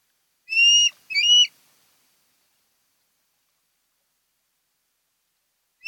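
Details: Wild osprey at its nest on Kent Island, Maryland, recorded by a nest camera: a pair of sharp, upward-sweeping whistles close together, followed by several seconds of quiet and a clipped call at the end.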